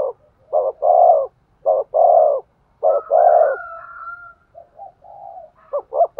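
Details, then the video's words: Spotted dove cooing to stimulate a male: repeated low hollow phrases, each a short note then a longer coo, about once a second. A thin whistled tone drifts in midway, then softer cooing and quick doubled notes close. "tiếng chim cu gáy thúc gù, tiếng chim cu gáy kích bổi"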